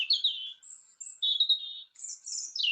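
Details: European robin song in spring, thin high whistled phrases that slide and waver, some dropping in pitch, others very high and sibilant, in quick succession; sings slightly longer than a blackbird before pausing.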